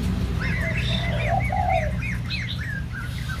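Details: White-crested laughingthrush, young bird in voice training, with a run of short rising-falling whistled notes at a quick pace, faint and over heavy low rumble.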